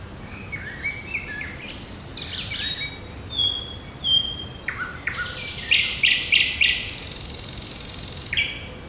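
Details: Birds singing on a June 8 morning in park and forest: overlapping high whistles, trills and short buzzy phrases, with several fast bright notes repeated close together toward the end over a soft background hiss.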